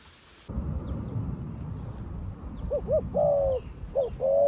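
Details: Dove used as a decoy in Cambodia to call wild doves down; after a burst of hiss and low rumble, short hooting coos begin, a quick double note then a sustained level coo, repeated twice.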